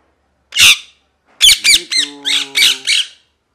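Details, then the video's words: Loud harsh parrot squawk, then a rapid string of grating chirps mixed with a steady buzzing tone underneath. "Parrot Chirping Sounds | Natural ParrotSounds | Parrot Calling Sounds"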